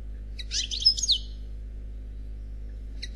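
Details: Single European goldfinch in Khalwi song style gives a short burst of scratchy, buzzy twittering lasting under a second, followed by near silence and the onset of another phrase at the end.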